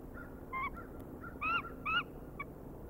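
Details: Bald eagle at the Decorah nest, calling at night around 21:22 on 11 March 2019: a handful of short, clear, slightly wavering squealing notes, the two loudest about half a second apart, over steady low rumbling background noise.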